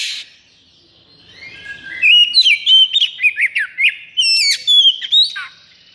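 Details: Oriental magpie-robin (kacer) in 'konslet' state, high breeding drive and agitation: after a quiet start, a rapid burst of loud, sharp whistled notes, slurred trills and clipped chips, packed together almost without pause.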